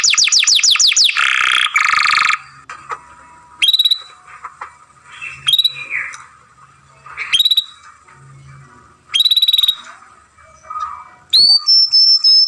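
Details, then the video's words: Young canary masteran for song training: a fast trill and harsh buzz, then spaced short high whistled notes with quiet gaps, ending in a rising sweeping chirp. "Young Canary Masteran, Long Sounds Grumbling"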